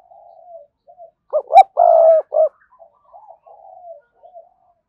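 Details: Spotted dove cooing as a decoy to make other doves coo. Soft low murmurs lead into two sharp short notes and one long ringing coo, then a short note and quieter trailing murmurs.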